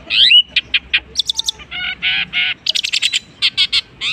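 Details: A long-tailed shrike mimics other birds with harsh, buzzy notes and sharp chirps in short bursts, mixing grating rasps with quick, high, clicking trills.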